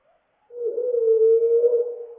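A common blackbird's song slowed right down, turning it into one low, drawn-out, steady whistle lasting under two seconds, almost like a hum.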